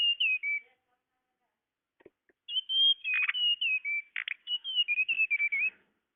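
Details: Tledekan bird call for luring birds: high whistled notes sliding downward, a brief pause with faint ticks, then a long lively series of wavering whistles mixed with raspy chirps.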